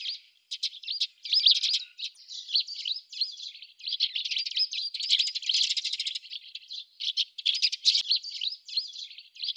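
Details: Eurasian tree sparrows at a fat-ball feeder in Budapest on 17 December 2010, in winter, keep up a busy stream of bright chirps and short metallic twitters, several birds overlapping with hardly a pause.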